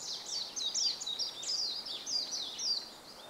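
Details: Warbling white-eye in spring song over a bamboo grove, 5 April 2014: a quick, jumbled run of high, sweet, downslurred whistles and twitters delivered without pause, clear above quiet ambient noise.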